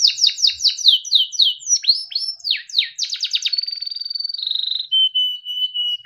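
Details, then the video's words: A Timbrado canary sings a fast, varied, melodic training song: rapid descending whistled notes, then a quick trill, ending in long steady rolling tones. "Timbrado canary singing beautiful melodic songs"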